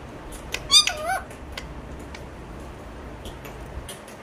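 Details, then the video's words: Alexandrine parakeet talking: a single brief, squeaky, bending phrase, then soft clicks and faint ticks against a steady low background hum. "চন্দনা টিয়া পাখির কথা শোনো"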